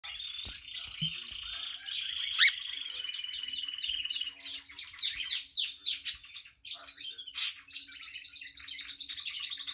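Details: A female Spanish Timbrado canary sings a continuous high, bright song of rapid trills, metallic rolls and quick descending chirps, with no other sounds.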